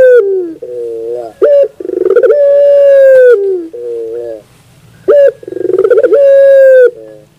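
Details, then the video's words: Puter dove singing a pelung-style song in the morning: two cycles of a stuttering opening, then a long, steady, rich low coo that falls at its end, followed by a lower throaty murmur. "the beauty of the sound of puter pelung in the morning"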